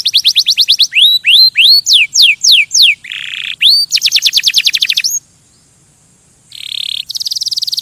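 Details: A canary sings to stimulate other birds with quick repeated trills and rising whistled slurs, a buzzy rattle, and a dense trill, then a brief lull before a high, thin trill resumes; close and clear.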